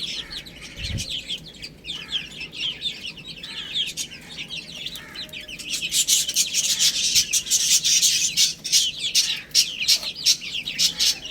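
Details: Chicks feeding on spinach, their rapid high peeping about three per second, joined in the second half by loud scratchy pecking and rustling noise.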